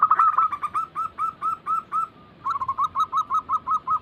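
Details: Zebra doves cooing as a training lure for caged perkutut: dense overlapping rolling notes, then a steady string of evenly spaced coos about every quarter second after a short pause.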